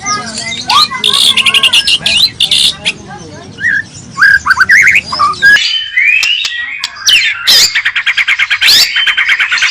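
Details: Varied song of a white-rumped shama, full of filler phrases: busy high warbles and short whistles, then after a sudden break a sweeping whistle and fast, evenly pulsed high trills.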